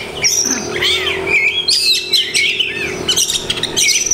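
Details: Caged Oriental magpie-robin (kacer) singing a varied song packed with imitated phrases of other birds: whistled slurs, sharp chirps and buzzy notes in quick succession, with a steady low hum underneath.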